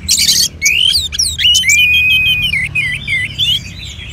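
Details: Caged Orange-headed thrush in North Bali, Singaraja, being prompted to sing by a recording of mixed colony birds: a long, clear whistled line, then a wavering, looping warble, with sharp high chirps from other birds at the start.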